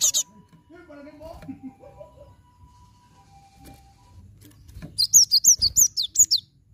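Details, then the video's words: Cinereous tit song used to draw song from other birds. After a quiet stretch with faint wavering low tones, a long string of about eight loud, high, descending whistled notes arrives rapidly. "Glatik Batu Macet Pancing Pake ini"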